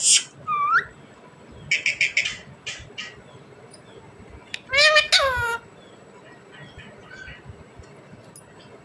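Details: Rose-ringed parakeet kept as a pet, trying to talk. A rising whistled note and raspy chattering bursts are followed by a longer, voice-like harmonic phrase that slides downward.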